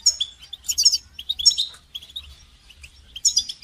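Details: Brief goldfinch song for training: rapid, high tinkling twitters and sharp chirps in quick clusters, with a few softer notes between bursts.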